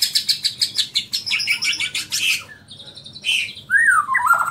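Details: Bornean white-rumped shama in full song; quick repeated high chattering notes giving way to a sustained thin whistle, then a loud swooping whistled phrase that rises and falls.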